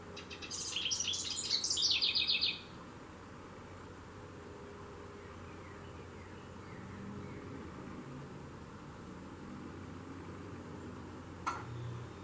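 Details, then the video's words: Carolina wren singing from a shepherd's hook in a front garden just outside a window in Saco, Maine. A loud, rapid, rolling burst of repeated high phrases for about two seconds, then only a low background rumble and a single click. "Carolina Wren: Singing Its Heart Out!"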